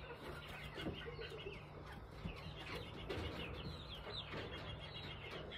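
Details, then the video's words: Backyard Appenzeller Spitzhauben hens sounding happy: soft, murmuring clucks and short chirpy notes overlapping in steady, contented chatter over a low background hum. "What happy chicken sounds like!"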